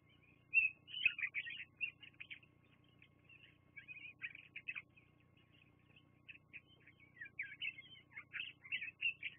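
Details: High, rapid chittering from bald eagles, recorded on a live nest camera on 24 September 2022 around midday. Short squeaky notes come in uneven clusters of roughly two per second, then grow louder and denser toward the end. Steady low hum underneath.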